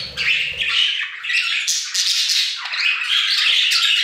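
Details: Several budgies singing together in an aviary, a dense, rasping warble with squawky bursts and quick chirped notes running almost without pause; a faint low rumble at the very start.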